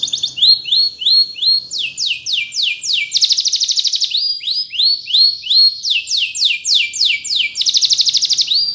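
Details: A canary sings for song training, alternating rising whistled notes with quick descending sweeps and bursts of rapid buzzy trills, in tours repeated about three times a second over a quiet background.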